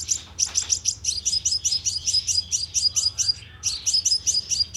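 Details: Sunbird lure call for a loudspeaker trap in Vietnam: rapid runs of sharp, high ticking chips, about four per second, broken by a short pause, over a faint low hum.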